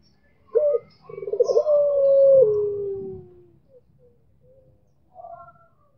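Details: A Barbary dove of the puter pelung type calls to a rival: a short opening note, then a long, rolling coo that slides gently downward and fades, followed by faint soft notes.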